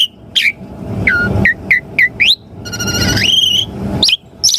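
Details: Lure song of an Asian pied starling, meant to make caged birds reply: clipped upward and downward whistles in quick series, a longer rising whistle with buzzy overtones, and sharp high notes, over a constant low hum.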